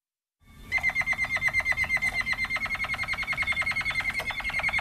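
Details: Malinois Waterslager canary song: a fast, regular series of bubbling, water-like pulsed notes on a steady pitch, each note short and clicking, continuing for several seconds over a faint background hum.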